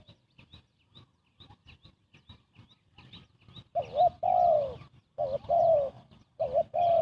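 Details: Spotted dove cooing, used as a lure for bird trapping: faint soft taps for the first three seconds, then loud, mellow coos, each a short note followed by a long, drawn-out, slightly falling coo, repeated in quick succession.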